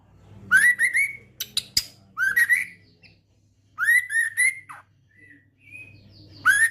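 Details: Male white-rumped shama of the Medan type, a mutation bird, in trotolan song style: bursts of rich rising whistles with ringing overtones, clustered sharp notes and a sudden click, separated by short silences.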